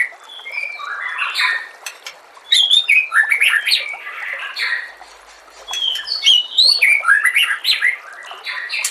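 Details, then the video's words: White-rumped shama song used as training audio for kept birds: a rich, varied run of clear whistles, sweeping slurs and sharp chips, in bursts that pause briefly near two seconds and again near five. "MASTERAN MURAI BATU"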